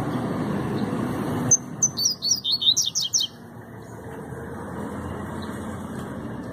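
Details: Double-collared seedeater (coleiro) giving a fast, short song: a quick burst of high, sharp, twittering notes lasting under two seconds, preceded and followed by low traffic rumble.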